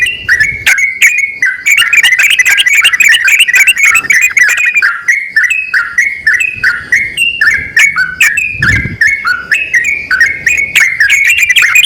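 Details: Pair of yellow-vented bulbuls, male and female, calling back and forth in a continuous run of quick bubbly chirps and short whistled slurs with little pause.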